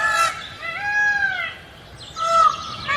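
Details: Green peafowl giving drawn-out, nasal, gently arching calls, one long trumpeting note followed after a pause by a shorter, higher, sharper cry.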